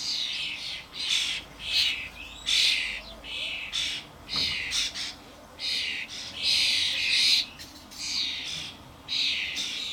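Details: Starlings, adults and young fledglings, crowding a garden suet feeder: irregular harsh squawks and hissing rasps in bursts, with short quiet gaps between groups.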